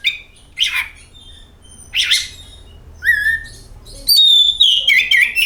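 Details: Lure recording of oriental magpie-robin song: two rasping, buzzy notes, then a clear rising whistle and a loud warbling, trilled phrase at the end.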